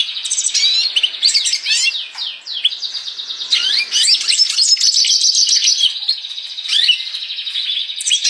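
A red siskin sings a long, fast, twittering song of high buzzy trills and sliding chirps, delivered continuously without pause.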